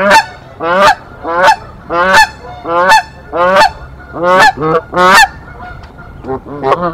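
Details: Canada geese at a nest in Decorah on 1 April 2024, the resident pair defending against an intruder goose. Loud harmonic honks, rising then falling, come in a rapid uneven series of about ten over seven seconds.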